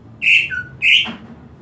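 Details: Greater green leafbird song played to raise excitement and breeding drive: two clear whistled notes, the first dropping to a lower tail, over steady low background hum.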